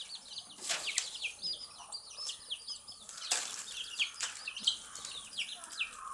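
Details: Chirping of baby chicks eating earthworms: bright high-pitched peeps repeated several times a second from a group of chicks, with occasional sharp taps and scratching sounds.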